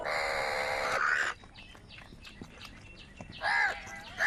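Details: Crows squabbling over food: a long, loud, grating caw fills the first second, followed by quieter scattered noises and then another short harsh caw near the end.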